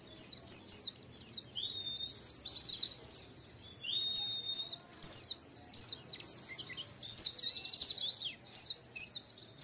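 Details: White-eye colony used to lure birds: dense bursts of high, quick downslurred chirps from several birds, with a few thin sustained whistles and short pauses between bursts.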